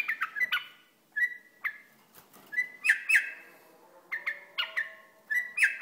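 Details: Iraqi bulbul singing: clear whistled notes around one pitch, some sliding and some slurred, given in short bursts separated by brief pauses, with quiet background hiss.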